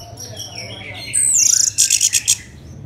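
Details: Orange-headed thrush song from Bali, used as a lure to get other birds singing: faint high whistled notes, then a sharp sliding whistle and a burst of four loud, rapid buzzy high notes, over a low steady hum.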